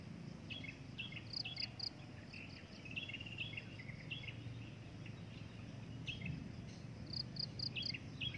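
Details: Breeding adult drongo calling: scattered whistled and chattered notes, some bending downward, with brief runs of high sharp repeated chips near the start and again toward the end, over a constant low hum.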